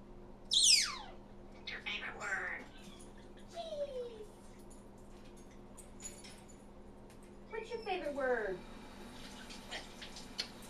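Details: Talking African grey parrot giving a loud, sharply falling whistle, then buzzy downward sweeps and a short sliding note, followed by a run of chattering descending chirps, all over a faint indoor hum.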